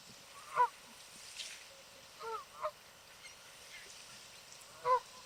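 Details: Honking of Canada geese swimming together on a lake: scattered single nasal honks, a pair close together near the middle and a louder one at the end, over quiet background.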